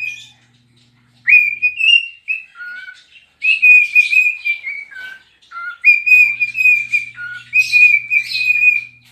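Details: Pet cockatiel singing while dancing and rubbing its tail: sustained whistled phrases, some rising, others dipping to lower notes, in three bursts separated by short silences, with faint low hum in the background.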